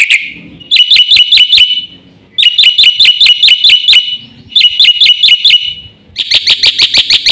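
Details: Black-winged myna in energetic full song with fill-in phrases, used to lure and tutor other mynas: four bursts of rapid, ringing high chirps, each about a second long, separated by brief gaps.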